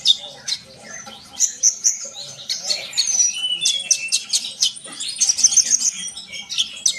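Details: Sunbird song intended to set trainee birds singing: a lively, continuous twitter of high chirps, squeaky whistles and short buzzy trills, growing denser midway and carrying on without a break.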